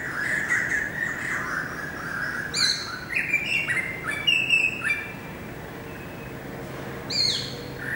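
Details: Greater racket-tailed drongo singing, recorded 7 February 2018: a varied run of short whistled notes around the middle range, then sharp rising metallic calls and a loud upswept note near the end.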